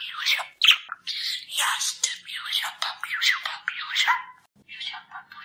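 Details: Pet budgerigar from Poland, a talking-bird championship entrant, chattering in a rapid raspy mimicked speech, warbling rising-and-falling phrases run together over several seconds with brief pauses.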